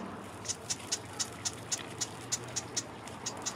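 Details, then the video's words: A chatty marsh wren gives a steady series of about a dozen thin, very high ticking notes, roughly four per second, over a soft background hiss. "A Chatty Marsh Wren"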